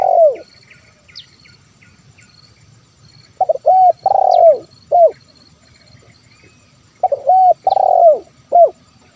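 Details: Spotted dove in 'kuk 1' style, used to lure wild birds into singing: two full phrases of short double coos, a long rough coo falling at the end, and a single clipped note, with thin high chirps in the background.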